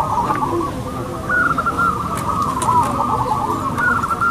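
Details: Competing local zebra doves, a busy chorus of coos with several distinct long coo notes, some rising, sounding clearly over the crowd.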